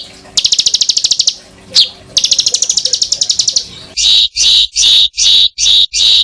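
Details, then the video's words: Songbird tutor phrases: two fast rattling trills of sharp high notes, a brief lone note between them, then slower, well-spaced loud chirps roughly twice a second. "BURUNG FULL ISIAN TEMBAKAN Untuk Masteran Murai batu ,Cucak ijo ,Kacer"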